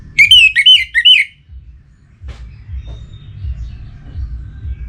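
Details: Orange-headed thrush from Singaraja in northern Bali, in breeding condition and calling a rival: a short run of three or four looping whistled slurs at the start, followed by quiet low background noise and a faint click.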